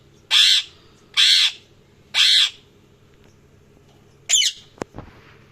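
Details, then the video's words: Parrots calling with three harsh, raspy squawks in quick succession, then a pause, a shorter higher screech and a sharp click near the end. "Parrots Chirping Sounds | Parrots Calling Sounds"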